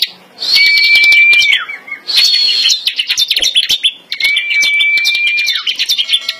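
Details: Bar-winged prinia held in the hand, not caged, and pitted against another bird, singing loud, high, buzzy phrases with long steady whistled notes about every two seconds; a second bird's chirps overlap.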